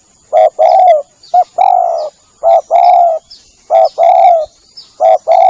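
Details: Spotted dove call used to lure doves: loud, close cooing in quick succession, each phrase a short note or pair followed by a longer level coo, with thin high bird chirps faintly behind.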